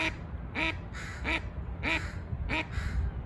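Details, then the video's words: Mallard giving loud, raspy quacks in quick succession, about five notes in three seconds, over a faint low rumble. "Mallard call"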